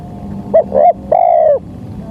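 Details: Spotted dove lure call for bird trapping: two quick clipped coos followed by one long, level, gently falling coo, clear over faint low rumble.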